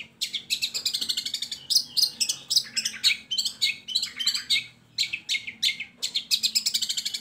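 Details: Lure song of a long-tailed shrike to get idle shrikes singing: a dense, continuous stream of fast, scratchy high notes and trills with barely a break.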